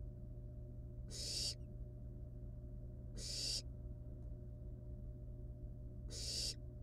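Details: At the nest, wild barn owl nestlings with live rat prey; three strong screeching hisses, the last after a longer pause, each under half a second, above constant low-pitched hum.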